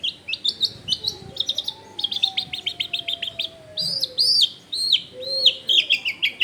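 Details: Long-tailed shrike singing as a lure for other shrikes: quick runs of sharp chips, then arched whistled notes, over a long low whistle from another bird in the background.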